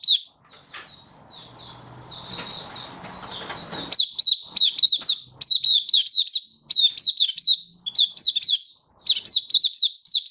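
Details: Malaysian white-eye (mata puteh) singing open song, Singapore, stable warm sunny weather, 20 March 2023; begins with softer warbling over low background murmur, then builds into steady runs of sharp high chirps.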